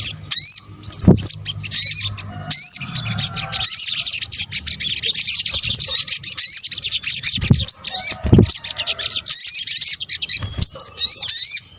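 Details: Sunbird, known locally in Indonesia as sogok ontong, calling in a combined lure recording used to attract birds. Dense, high chattering notes mix with sharp upslurred whistles, broken by low thumps and short pauses.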